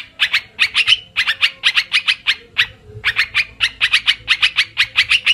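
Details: Trapping lure recording of an olive-winged bulbul: clusters of scratchy, clipped chatter notes in quick bursts, broken by short gaps, against a low background hum.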